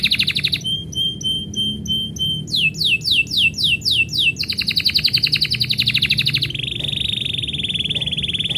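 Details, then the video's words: Canary singing when its owner is about to leave: a rolled trill, evenly spaced chip notes, a run of swooping downslurs, a fast rattling trill and a long steady whistled roll, low hum beneath. "kenari bunyi ketika yang punya mau pergi"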